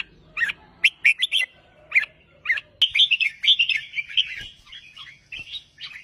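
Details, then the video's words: Red-whiskered bulbul, a kept songbird, giving several separate bright chirps, then a sustained, warbling run of overlapping notes, with a faint background of other chirps and low noise. "CHÀO MÀO GIỌNG HAY CHÀO MÀO VÙNG MIỀN CHÀO MÀO CĂNG LỬA"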